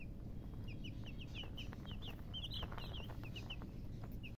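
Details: Several baby chickens chirping: a busy run of short, high, falling and slightly rising peeps, many overlapping in the middle, over steady low background rumble, ending abruptly.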